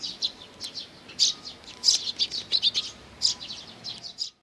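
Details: Eurasian tree sparrows arriving for food at Mizukami Bridge, 4 June 2020; an excited, closely packed volley of high chirps from multiple birds, ending abruptly.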